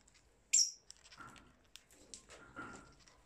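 A lovebird gives one sharp, piercing shriek, followed by softer, scratchy chattering and a couple of brief, thin whistled notes.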